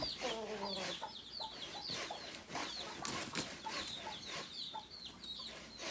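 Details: Native chickens, a flock with rooster and hens: a low, harmonic clucking burst at the start, then many thin, high, downslurred peeps scattered throughout, with some wing flutters and background rustle.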